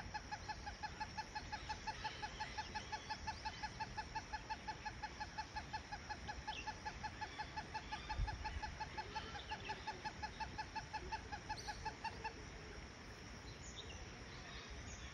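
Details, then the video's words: An Indian great hornbill gives a long run of harsh, honking notes, nearly three per second, for about twelve seconds before stopping, over a steady background hiss. "Great Indian Hornbills Call"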